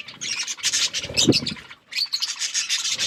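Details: Budgerigars chirping as they eat and play, with dense raspy high chatter, a brief thump, then more scratchy warbling.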